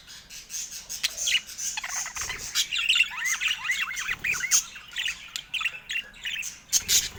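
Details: Budgerigar chattering during play with its owner: a dense run of scratchy warbles and quick zigzag chirps, with sharp clicks and brief squawks mixed through the steady babble.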